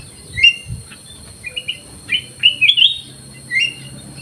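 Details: A black-crested bulbul housed in an aviary sings clear whistled chirps, bunched into a fuller rolling phrase around the middle, with two low knocks at the start.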